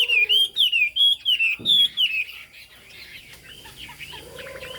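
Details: Chinese hwamei, fig-leaf tailed and turmeric-billed, delivering 'cao cầu' high song: a string of strong, clear whistled slurs at a steady pace, fading into softer, rapid twittering notes, with a faint low hum underneath.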